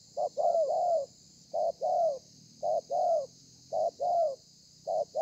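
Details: Spotted dove, thổ pha song style, recorded 30 November 2020. Repeated phrases of one or two brief coos run into a longer falling coo, roughly once a second, with a steady high-pitched hiss behind.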